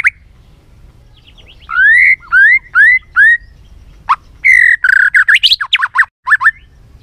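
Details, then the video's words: A white-rumped shama's varied song used to spur a bird into singing and tail-flicking: a run of rising slurred whistles, then a sharp note and a burst of rapid, jumbled chirps and short whistles. "Kích Chòe lửa hót nhiều giọng, Căng lửa, chòe lửa đánh đuôi kích cực nhạy.luyện chòe lửa hót nhiều"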